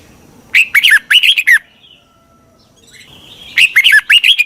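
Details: Decoy red-whiskered bulbul luring wild birds: two bursts of chirpy, bouncing whistled notes about three seconds apart, with a faint thin tone in the quiet middle.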